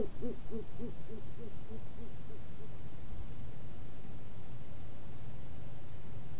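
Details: Male great horned owl courting a female and bringing her a vole gives a run of about eight soft, low, evenly spaced hoots that fade over three seconds, followed by quiet background rumble.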